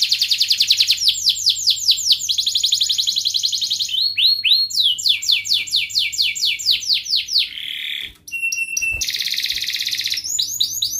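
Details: Canary training song meant to get lazy canaries singing: fast high trills shifting into repeated sweeping whistles, tour after tour, with a brief break near the end.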